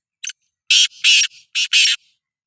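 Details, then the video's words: Black francolin, Sindhi kala teetar, giving its grating call: one short clipped note followed by four long, buzzy, scratchy notes grouped in two pairs with faint linking rasps, no background noise. "Kala Teetar Voice | Black Frankoline Voice | Sindhi Kala Teetar Voice کالا تیتر کی بولائی"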